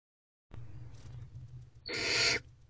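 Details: Hungry barn owlets in nest box C, 11:22 pm on 22 April 2023, begging while their mother feeds them prey they must swallow whole; one loud, harsh hissing screech lasting about half a second, with a low steady hum beneath.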